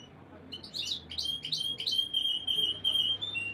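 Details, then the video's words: Canary song meant for breeding conditioning to stimulate females: a few rapid buzzy chirps lead into a long, high, steady whistled tone with faint pulsing, over a soft low hum. "Canary Breeding Conditioning Audio — Boost Your Female’s Mating Instincts"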